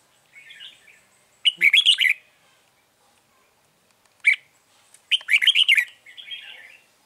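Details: Red-whiskered bulbul as lure in a bird trap, repeating quick loud warbled song bursts, a sharp single note between, and quieter trailing twitters.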